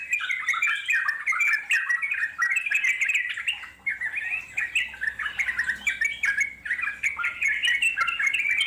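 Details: Natural wild trucuk (Yellow-vented Bulbul) song in the long ngeropel panjang style: continuous bubbly chatter of quick sliding notes, with brief dips in loudness and a faint low rumble in the background.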